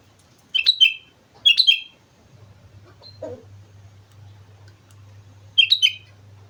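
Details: Lively sooty-headed bulbul song on Mount Slamet: three short, bubbly, warbled phrases, the first two close together and the last after a pause, over a steady low hum.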